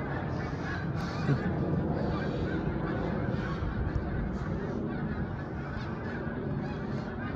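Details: Snow geese in a dense, continuous chorus of overlapping nasal honks, many birds calling at once with no pauses, over a steady low rumble.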